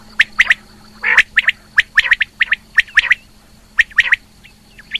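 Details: Female rain quail. Sharp, clipped paired notes repeat roughly every second, broken by one harsher, louder burst. Electrical hum and a thin whine continue in the background.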